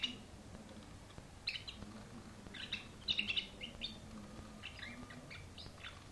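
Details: Canary singing, heard as bursts of short bright chirps and trilled notes scattered through the clip, loudest around the middle, over a low steady background hum.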